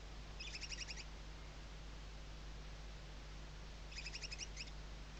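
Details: Western barn owl chicks tucked under the mother's wings at a webcam nest in Riet Vell Nature Reserve, Ebro Delta, Spain, 2023; two rapid, high, stuttering twitter bursts about three seconds apart over faint background hum.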